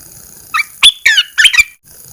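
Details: Caged red-eyed bulbul, first uncovered after 14 days of cage-cover treatment, delivers a rapid, loud string of four squeaky, slurred chirps in under a second.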